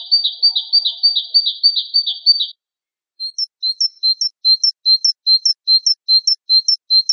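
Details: Java sparrow tutor recording: first a dense, buzzy run of wavering high notes, then, after a pause, regular paired chirps, a low note then a higher flick, repeated steadily.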